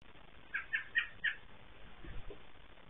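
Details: Female American robin calling as she returns to her nest in the middle of the night to check her eggs, Southern Ontario, Canada, May 4 2022: four short, sharp, clipped notes in quick succession, then faint low rustling.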